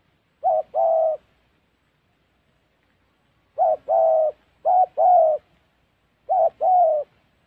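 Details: Spotted dove cooing during trapping in a Central Highlands forest of Gia Lai, Vietnam. Four pairs of mellow coos, each a short note then a longer one, are spaced by silences of a few seconds in an otherwise quiet setting.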